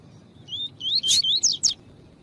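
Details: Double-collared seedeater (Sporophila caerulescens), captive, in a recording of a female calling, used to warm up males: a quick run of about five high, thin whistled notes, each slurring up or down, over roughly a second.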